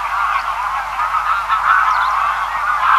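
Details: Greylag Geese in a large feeding flock, heard from a distance: a dense, continuous chorus of overlapping nasal honks and cackles, with no pauses, over a steady low background hum.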